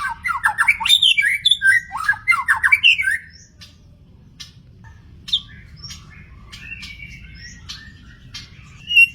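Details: Magpie-robin in the wild giving a rapid three-second burst of mixed whistles, sharp chirps and raspy notes, then only scattered faint whistles over a constant low background rumble.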